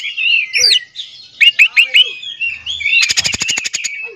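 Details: Oriental magpie-robin song used to provoke other magpie-robins into singing: clear, rising and falling whistles, then a rapid, dry, ticking rattle of about a dozen clicks, and sweet notes at the close.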